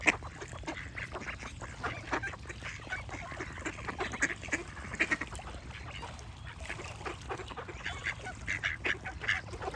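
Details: Ducks quacking in a steady chorus of short, harsh, overlapping bursts, with birds singing in the background throughout.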